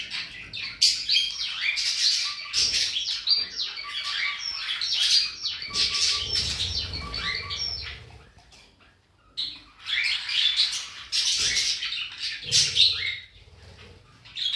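A rainbow lorikeet chatters in fast, high warbles and chirps, imitating the busy song of budgies.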